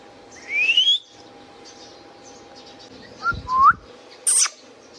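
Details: An Indian ringneck parakeet whistles a long rising sweep, then after a gap a short upslurred whistled note, and finishes with a sharp high screech, with low constant hum behind.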